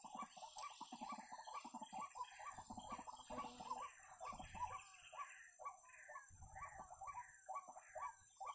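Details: Wak-wak or white-breasted waterhen during snare trapping: a long string of clipped, croaking notes, quick at first, then slowing to about one per second, with a sharp click near the start and a low rumble at times.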